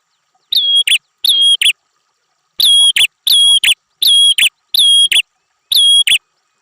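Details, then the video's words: A fighter prinia in full song: a steady series of about nine loud, high whistles with buzzy endings, spaced roughly half a second apart after a short opening pair. "perenjak kepala merah mastearn burung figter prenjak gacor"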